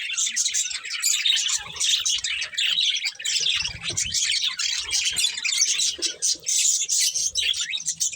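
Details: Budgerigars, colourful and eating, fill the air with rapid overlapping chirps and scratchy squawks in a dense flock chatter, with a soft low bump near four seconds.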